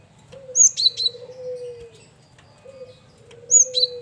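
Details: Male cinereous tit (gelatik batu), used to lure other birds, repeats a brisk high whistled phrase twice, about three seconds apart, each with sharp descending notes, over long low cooing tones in the background.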